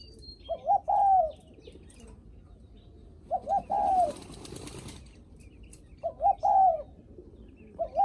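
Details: A spotted dove greets visitors with repeated phrases of low, mellow coos, each a quick double note followed by a longer drawn-out coo, roughly every three seconds, with a brief rustle of wing flapping between phrases.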